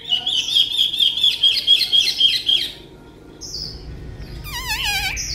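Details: Tame caged Chinese hwamei repeats one clear whistled note about ten times in under three seconds, then after a pause adds a short high note and fast wavering, rolling whistles.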